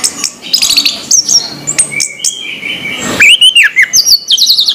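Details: Morning song of an orange-headed thrush, a string of high, thin whistles and quick chips, then a loud downslurred whistle followed by rapid rising and falling notes.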